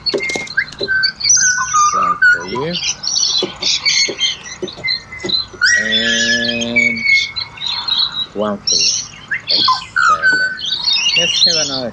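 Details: Busy Australian pied butcherbird chorus: many overlapping fluted whistles and high chirps with repeated harsh, buzzy squawk bursts throughout.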